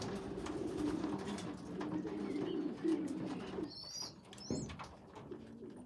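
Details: A steady low cooing drone from young pigeons fills the first three and a half seconds while a weak youngster feeds bigger ones, then brief high squeaks and a soft thud follow.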